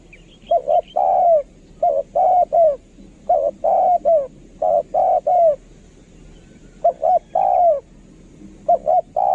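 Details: Spotted dove kept as a decoy, singing a long run of coo phrases. Each has two short notes and then a longer slurred coo, repeated steadily about every one and a half seconds.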